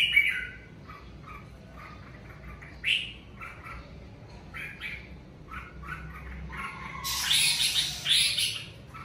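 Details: At home during the covid season, a red-whiskered bulbul sings naturally: a run of short, clear whistled notes at a steady mid-high pitch. A loud rustling flurry follows near the end.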